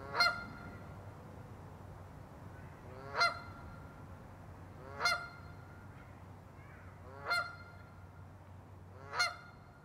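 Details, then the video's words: A Canada goose calls, giving five loud, nasal honks roughly two seconds apart. Each is a brief rising-falling blare over a low, steady background hum. "Cri de la Bernache du Canada/Call of the Canada Goose"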